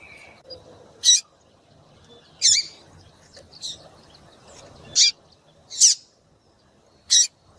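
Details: Piercing high chips from a female double-collared seedeater, calling so a male will sing; about six clipped notes at uneven intervals of one to two seconds, some with a downward flick.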